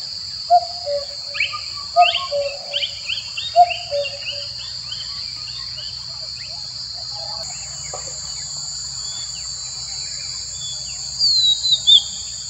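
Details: Excited male common cuckoo calling to a female: three low falling two-note phrases at about one-and-a-half-second intervals, followed by chirps and whistles of other birds over constant high-pitched insect buzzing.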